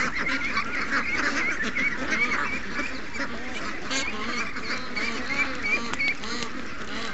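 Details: Morning rush of over 700 ducks and geese with young ducks, August 7th, 2015: many nasal quacks and some higher honks overlap in a steady, busy flock chatter.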